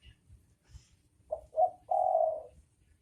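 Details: Spotted dove pair, male and female, giving a low cooing phrase: two short rising notes followed by a long, steady, drawn-out coo.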